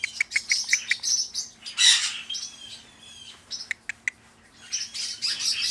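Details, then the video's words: Male pet parrotlet, hatched October 2008, is coaxed to talk and says "pretty bird": rapid, high, buzzy chirps in short bursts with a harsh squawk near the middle and a faint steady hum underneath. "Parrotlet Cyrano says Pretty bird"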